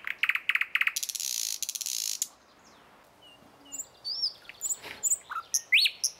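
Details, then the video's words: Thrush nightingale in morning song. It opens with loud, clicking repeated notes and a harsh, buzzy rattle lasting about a second. After a short quiet gap come scattered high whistles and rising slurred notes. "Nightingale song Утреннее пение соловья Спів солов’я"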